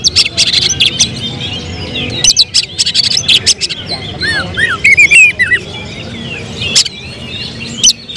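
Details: Oriental magpie-robin being readied for song contests, its singing breaking into sudden bursts: short arched whistles repeated in a quick series mid-phrase, set among dense clicks and chatter.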